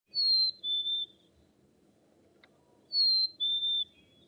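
A chickadee gives a clear two-note whistle, high then slightly lower, "fee-bee", sung twice about three seconds apart over a soft low rumble.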